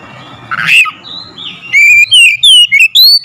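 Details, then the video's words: Oriental magpie-robin song played as a lure to provoke another bird into singing. A harsh, noisy squawk comes first, then from mid-clip a run of loud, clear whistled notes, some sliding up or down, in quick varied phrases. "SEKALI PANCING KACER LANGSUNG GACOR NAIK EMOSI"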